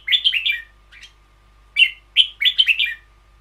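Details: Caged red-whiskered bulbul singing in the long-doubled style known as 'boen yao': bursts of rich, warbling whistled notes in quick runs, with a short pause between phrases and a final flurry of chattering notes.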